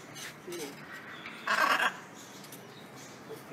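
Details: Wild blue-and-yellow macaws eating at a feeding spot, one harsh raspy squawk of under half a second amid quiet human talk and soft outdoor noise.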